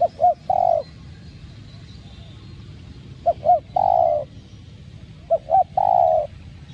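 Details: Cu gáy, or spotted dove, singing in the copper-voiced style to provoke other doves: three repeated phrases of two short rising coos and one long coo, against a constant low hum.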